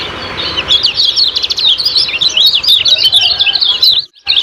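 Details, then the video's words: Fast, high-pitched chattering of a kecial kuning (lemon-bellied white-eye), 'ciak-ciak' lure song for training caged birds. Tumbling chirps pour out without pause, breaking off briefly just before the end. "Master Kecial Kuning Ciak Ciak Gacor Banget"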